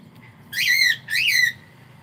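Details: Pet cockatiel giving two loud whistled calls, each about half a second long, rising then falling with rich harmonics, separated by a short gap, over a quiet low background hum.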